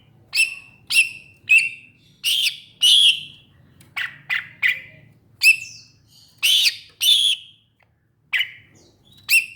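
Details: Greater green leafbird uttering harsh chirps and squawky notes, loosely spaced with a quicker cluster midway, high-pitched and piercing against soft low-frequency hum.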